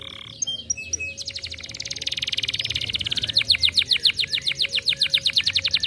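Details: Canary singing to stimulate others: brief zigzag whistles, then a rapid high trill that slows into distinct, louder repeated notes, with a steady low hum underneath.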